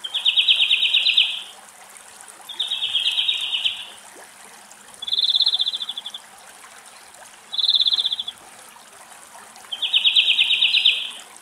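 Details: In Greece, a European greenfinch gives five rapid, rattling, high trills of about a second each, spaced every two to three seconds, over a faint watery hiss. An adult bathing in a bird bath is challenged by a likely juvenile, leading to pecking and aerial fights.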